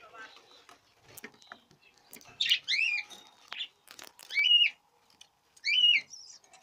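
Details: Budgerigars in the 2017 breeding season: scattered warbling, chattering chirps with several loud, looping squawky calls in the second half, plus faint clicks and background noise.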